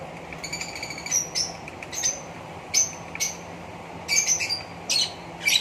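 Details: Green Fischer's lovebird pair giving scattered sharp, high chirps and brief squeaky notes, spaced irregularly about a second apart, over a steady low background hum.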